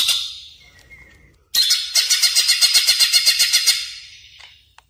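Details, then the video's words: Greater green leafbird calls used as a lure and tutor sound for caged birds: a brief high chatter, then a loud run of fast, repeated harsh notes, about four per second, fading at the end. "suara pikat burung cucak ijo"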